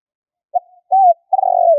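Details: Spotted dove call for luring wild birds: a brief low note, an arched coo, then a long rolling, slightly descending trilled coo, against silence.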